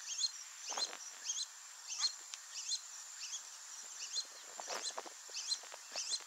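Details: Brazilian teal (Amazonetta brasiliensis), a pair with ducklings, with thin, high peeping notes in short bursts repeated roughly every second, over a steady high insect hiss.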